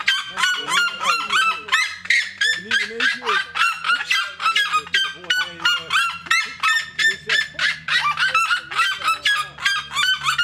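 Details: Red-legged seriemas (Cariama cristata) at a zoo park in Beesd, Netherlands, on the afternoon of 7 April 2018; a seriema gives a loud, harsh, yelping series of honk-like notes, about three a second, rising and falling in a long steady run.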